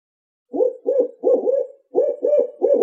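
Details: A Barred Owl of southern Ontario gives a deep, rhythmic series of about seven hoots in under three seconds, the familiar 'who cooks for you' pattern, with no other sounds.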